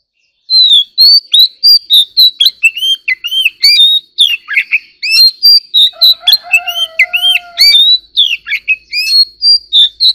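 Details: Oriental magpie-robin in a song duel delivers a nearly nonstop, fast stream of varied whistles, chirps and slurred notes, with a low, drawn-out smooth tone underneath for a couple of seconds mid-way.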